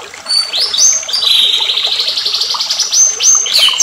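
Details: White-rumped shama giving an agitated song: a run of loud, high whistled notes, several sliding upward, joined into a long rapid ripple of repeated phrases, over a steady hiss like running water.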